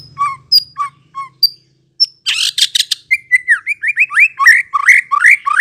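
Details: White-rumped shama lure recording intended to make shamas reply and sing: spaced, thin, high whistles with a faint low hum, a dense noisy burst, then a fast series of harsh upward-sweeping notes.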